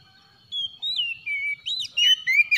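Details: In the morning an Oriental magpie-robin gives a short run of sweet whistled notes, first long and level, then quicker rising and falling slurs.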